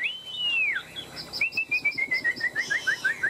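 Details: Three-year caged Chinese hwamei singing in a fighting-song bout: a sustained whistle arching down, then a stepped series of short slurred notes descending, each repeated quickly, with faint high notes above.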